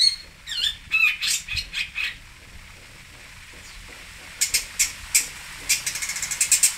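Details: Cendet, or long-tailed shrike, from Singosari: a burst of twisting whistled and chattering notes, then a quiet gap, then a string of rasping scratchy calls quickening toward the end.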